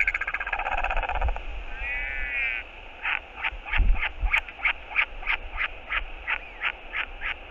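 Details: A northern royal albatross on a New Zealand nest cam, 10 March 2022, as a returning adult arrives, gives a harsh, buzzy call, then sharp clacking notes about three a second, with wind rumbling underneath.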